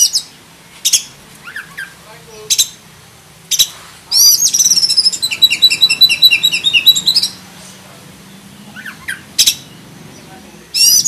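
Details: Kacer dada hitam, the black-breasted oriental magpie-robin, singing a full 'isian' master song: scattered sharp high notes, then a three-second stream of quick repeated chirps, and a few soft downslurred calls.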